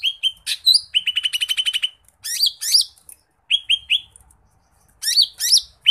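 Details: Lesser green leafbird (cucak ijo mini), heard singing gacor with isian phrases on a masteran track: a fast rattling series of even chirps, then loud upslurred whistles and buzzy notes separated by short pauses.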